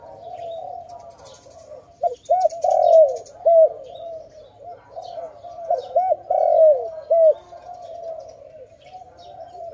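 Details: Dove at a trap site calling in two bouts of loud, clipped arched coos, each ending in a longer bent note, with steady soft cooing between them and faint high chirps.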